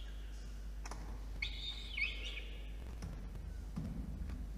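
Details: A peregrine falcon chick in a nest box atop a water tower in Orange, NSW, Australia gives one strained, harsh scream, lasting under a second, while the male brings dinner on the evening of 5 November 2021; low rumbling afterward.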